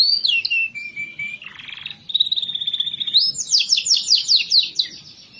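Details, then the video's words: Canary song used as a lure to get lazy canaries singing: a falling whistled note, a steady low whistle, a buzzy burst, a level whistle, then a rapid run of descending sweeps. "Pancingan Untuk Kenari Yang Malas Bunyi"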